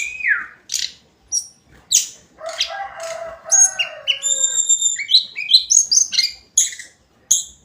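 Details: Hill blue flycatcher (tledekan gunung) in daily song: separate sharp chirps spaced about half a second apart, a rough chattering phrase, then a quick series of high whistled notes.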